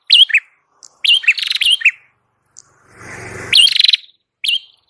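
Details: Red-headed prinia (prenjak kepala merah) in gacor song for bird luring. Bright chirps and buzzy rattles are partly covered by a rough burst of broadband noise midway, and then the song resumes.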